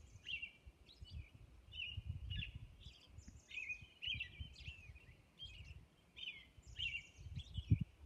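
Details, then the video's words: Dawn song of a robin on Orcas Island, with bright whistled phrases repeated in quick succession, some slurred and rising, set against a fairly strong low rumbling background. "Dawn Robin Song"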